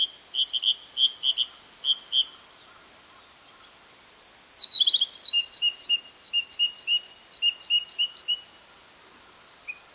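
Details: A male Narcissus flycatcher sings in Hokkaido, July 2014: a run of quick whistled notes, a pause, then a loud burst leading into a long series of paired bright notes.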